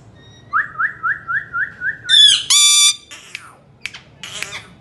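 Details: Pet parrot calling indoors: a run of seven quick, even rising chirps, then loud, rich, harsh squawks and a few scattered sharp clicks as it fades.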